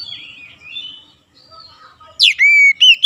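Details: Oriental magpie-robin, lure song to spur other magpie-robins into singing; faint thin warbles, then a sudden loud rising note followed by steady, clear whistles.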